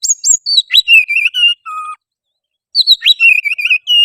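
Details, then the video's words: Oriental magpie-robin singing to provoke another bird into singing, fighting and tail-spreading: rapid bursts of varied clear whistles and buzzy notes, a drawn-out lower whistle, a pause, then a fresh burst of bright warbling. "suara kacer gacor pancingan kacer susah on pasti langsung on tarung buka ekor"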